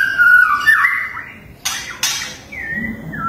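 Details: A white-rumped shama sings 'tembakan' song as competition material: a long level whistle falling away, two sharp percussive bursts, then another clear whistled note that drops in pitch.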